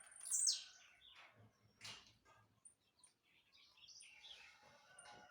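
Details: {'caption': 'Single sharp, buzzy descending note from a jumping blue-black grassquit at the start, followed by scattered soft chirps and rustling.'}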